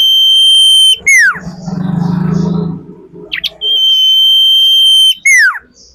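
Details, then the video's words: Lure call of a female common iora (sirtu, cak lilin): a sustained flat high whistle breaks into a quick descending slur, then a low murmuring hum and a short rising note. The long whistle and downslur then repeat. "Sirtu gacor anti setres"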